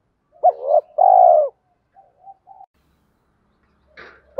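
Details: Spotted dove coo phrase for stimulating other doves to coo. A short clipped note leads into a drawn-out, low, husky coo, followed by soft murmurs and a faint scrape.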